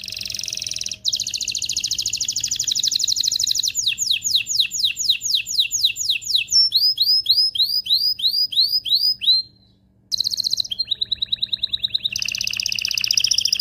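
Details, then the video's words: Excited canary song used to prepare male and female canaries for mating, a long run of fast trills shifting through repeated sweeping notes and high arched whistles, with a brief pause before buzzy rolls resume. "تغريد طائر الكناري هائج , لتجهيز الاناث و الذكور للتزاوج والغناء"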